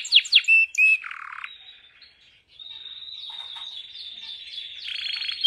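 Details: Canary singing vigorously while held in the hand: sharp falling chirps and bright whistles, then a buzzy low trill, a short pause, and a long steady high whistled tour with faint rapid notes.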